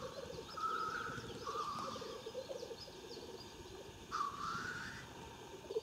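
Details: Several black grouse lekking in Siberia, Omsk region, near Klassino, 2018: a steady low bubbling, cooing chorus with hoarse rising hissed whooshes near the start and again after four seconds. Faint high chirps from other birds.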